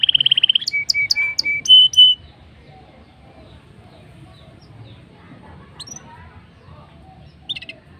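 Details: Black-throated canary in chatty rolling song meant to start canaries singing: a brief rapid trill, then clipped high notes and level whistles over two seconds, followed by near silence with a late chirp.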